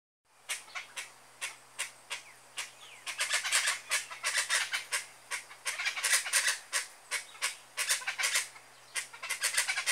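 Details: Chachalaca singing in nature: loud, harsh, raucous calls repeated about three times a second, with the bursts overlapping and growing denser in the middle of the passage.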